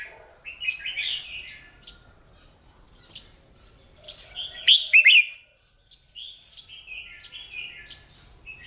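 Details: Captive red-whiskered bulbul in morning singing practice, used to rouse low-spirited birds into song: scattered short warbled notes, then a loud burst of quick rising and falling whistled syllables midway, with softer chirps after.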